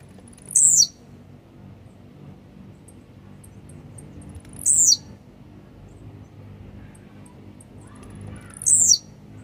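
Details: Grumpy, aggressive blue-black grassquit repeating a short, high, buzzy downslurred phrase three times, about every four seconds, to fire up other grassquits, over a faint low hum.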